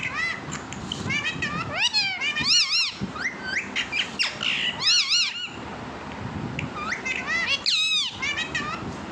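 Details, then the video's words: Pet talking parrot chattering in clusters of loud arched, speech-like harmonic notes, about every two seconds, with shorter squeaks between and low background murmur. "my talking parrot"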